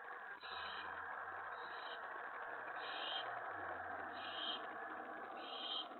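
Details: Owlets at night, 1:55 AM on May 28, 2017, after a huge rat was delivered on the porch, giving faint, harsh hissing screeches repeated about every one to one and a half seconds over a constant low hum.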